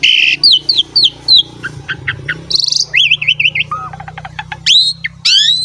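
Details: Energetic Asian pied starling song meant to coax young starlings into singing: quick mix of squeaky whistles, wavering rising notes and short buzzy bursts, over a faint low hum.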